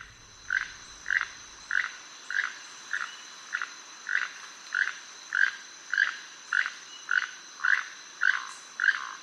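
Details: Keel-billed Toucans, two birds calling together, give dry, frog-like croaks repeated almost twice a second over a faint steady high hum; Costa Rica's second-largest toucan, common in Caribbean lowlands.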